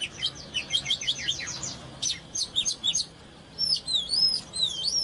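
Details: Oriental magpie-robin singing "căng lửa" while dancing: a fast run of repeated chirps, a few sharp notes, then clear rising-and-falling whistled phrases toward the end.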